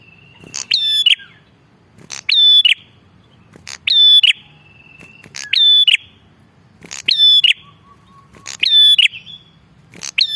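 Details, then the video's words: Bar-winged prinia calling steadily, used for luring birds: six to seven repeated phrases, each a crackling burst then a high level whistle with buzzy end, about every one and a half seconds, faint lower whistles between. "Suara prenjak gacor ampuh buat pikat"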